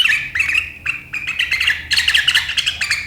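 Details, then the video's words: Riwikan chattering of a sooty-headed bulbul, recorded 7 April 2023, whose sharp calls set rivals chattering; short, shrill chirps running fast and growing denser toward the end. "Suara burung KUTILANG GACOR RIWIKAN yang tajam membuat lawan ikutan ngeriwik"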